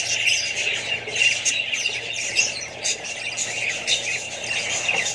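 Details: Many Australian budgerigars, including young birds, chatter at once: busy warbling with short sharp squawks popping out every second or so, against a low background hum.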